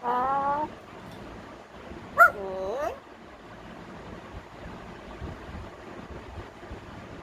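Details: A pet African grey parrot, being coaxed indoors by its owner to talk, gives a wavering, voice-like phrase, then a sharp click and a falling, whiny tone; only quiet room noise follows.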